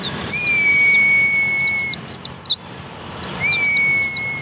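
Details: Javan white-eye, known locally as pleci, sings rapid high chirped notes that slur down and up, while a long, steady, flat whistle runs beneath them and then repeats.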